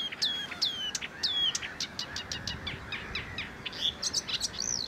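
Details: Marsh warbler song at Het Vinne, Zoutleeuw, Belgium, in May 2024: a fast, varied stream of high chirps, trills and slurred whistles, notes tumbling several per second with quick changes of pitch.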